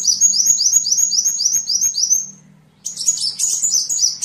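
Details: Sunbird song for training songbirds: a quick run of identical rising, slurred high notes about four per second, a short pause, then a harsh jumbled burst of chatter.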